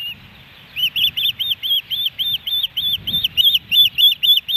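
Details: Osprey calling at its nest in Hellgate Canyon, Missoula, Montana, on July 13, 2018, amid fish deliveries: a steady run of high, slurred, down-arched whistled chirps, about four per second, over a soft low rumble.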